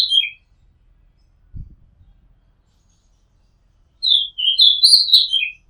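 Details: From a house rooftop in Thailand, an Oriental magpie-robin gives a short falling whistle, pauses amid a faint low thud, then delivers a quick phrase of varied whistled and chirpy notes ending in a downward slur.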